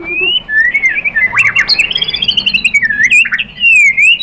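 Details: White-rumped shama song used as a lure to provoke a rival bird into answering: a loud, varied run of whistled notes sliding up and down, with rapid chattering trills and sharp high chips woven through.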